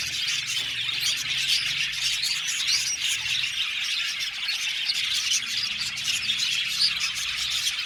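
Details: Seventy pairs of budgerigars kept together in an aviary make a busy chorus: countless high twittering chirps and short squawks overlap into an unbroken chatter throughout.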